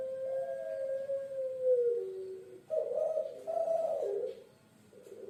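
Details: Puter pelung dove, a typical Indonesian bird of Java once kept as a pet of kings, gives long, smooth coos that slide gently downward, then two shorter warbling coo phrases.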